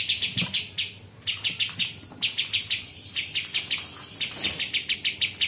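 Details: Sooty-headed Bulbul song, recorded as master audio for training murai batu, cucak ijo and kacer: fast bursts of sharp, repeated chirps, about four per second, with a higher twittering phrase mixed in near the end.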